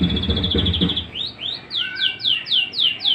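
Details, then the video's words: A white-rumped shama's daily singing: a steady high trill, then a string of sharp rising-and-falling whistles repeated about four times a second, over a low background murmur. "KICAUAN HARIAN MURAI BATU"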